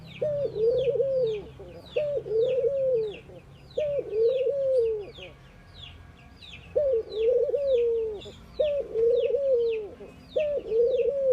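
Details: ['Indian ring-necked doves active in the morning, cooing steadily: about six low, mellow phrases, each a short lifted note then a sustained coo, in two bursts with a pause between. Constant high chirping from other birds runs throughout.']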